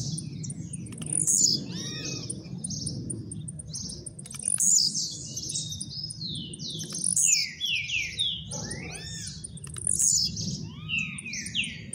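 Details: Caged blue-black grassquit just out of moult, delivering quick bursts of high, sharply slurred and rattling notes roughly every three seconds over a constant low background rumble.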